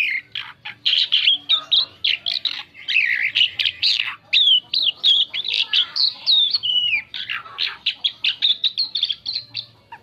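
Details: Asian pied starling in long varied song meant to lure other birds, a continuous stream of rapid whistles, chatters and downslurred notes with hardly a break over ten seconds.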